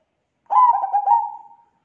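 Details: Single zebra dove lure call, meant to attract other zebra doves: one bubbling, stuttering trill of coos, just over a second long, tapering into a steady tone.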